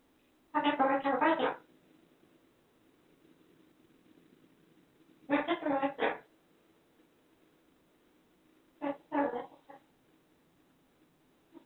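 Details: Pet cockatoo endlessly chattering in its own invented language built from repeated made-up words. Three bursts of rapid, harsh, raspy syllables, each lasting about a second, separated by quiet pauses of several seconds.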